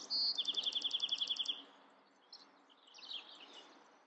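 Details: Bewick's wren song: a high introductory note followed by a rapid, even trill of about a dozen bright repeated notes, then softer scratchy notes over a faint background hiss.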